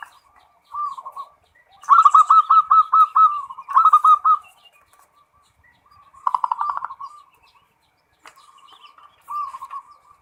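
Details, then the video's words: Zebra dove singing in the full ngerot style: low mellow coos around one pitch, broken by loud rapid rolling bursts of trilled notes, phrases separated by short pauses, quiet background. "SUARA PERKUTUT FULL NGEROT"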